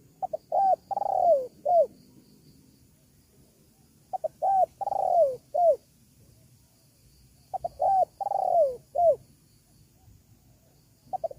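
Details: Spotted dove call used as a lure to draw wild doves: low, clear cooing phrases of two short coos, a longer falling coo, then a final short coo, repeated about every three and a half seconds in quiet surroundings.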